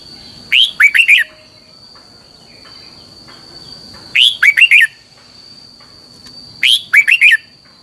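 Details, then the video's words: Red-whiskered bulbul singing a long double twisted training phrase for teaching caged birds: three repeats, each a bright upward-sweeping note followed by three rapid looping chirps, spaced about three seconds apart, with a constant thin high tone behind. "luyện giọng cho chào mào hót hay - Giọng kép xoắn dài"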